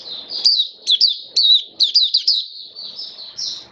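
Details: Caged Oriental white-eye singing amid rainy weather, a continuous high warble of quick chirps, roughly two notes a second, with slight low background noise.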